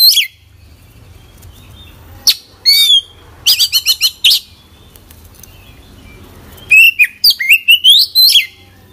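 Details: Oriental magpie-robin singing persistently, song rich in isian phrases: scattered sharp chips, a fast stuttering burst of buzzy notes, then a long run of rising whistled sweeps near the end.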